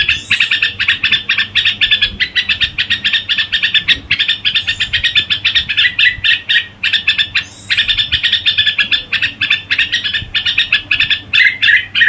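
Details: A red-whiskered bulbul (Pycnonotus jocosus) sings a fast, unbroken run of bright chirps and twittering notes with a few rising whistles mixed in, over a faint low hum.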